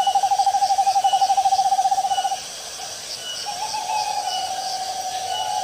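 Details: An owl in the fields produces a fast, even, pulsed trill for over two seconds, followed after a short gap by a steadier, slightly higher drawn-out tone, with background hiss throughout.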